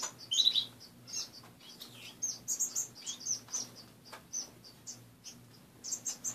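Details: Morning finches in a home cage with most perches removed trade soft, high chirps and short nasal notes at irregular intervals, some in quick pairs, with a low hum beneath.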